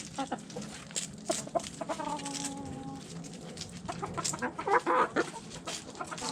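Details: Backyard chickens at food scraps, a long, level drawn-out cluck-moan early, then rapid bursts of clucks, about four a second, with pecking clicks throughout.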